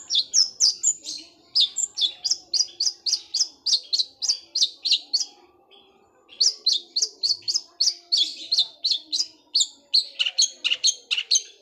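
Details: Long-tailed shrike with a sparrow-style voice, its song compared to a sewing machine roll: long runs of rapid, high, clipped chirps, several per second, pausing briefly midway before resuming just as fast.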